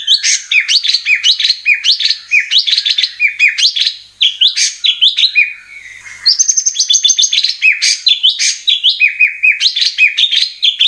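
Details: Murai batu, the White-rumped shama, in a lure recording meant to stir birds into song, delivering dense, fast phrases of chattering, warbled notes that repeat in bursts, with one short gap midway.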